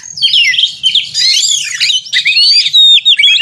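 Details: A white-rumped shama in contest-simulation singing, pouring out loud overlapping whistles and slurred notes, some sweeping downward, with a clear rising whistle near the end and a soft low hum beneath.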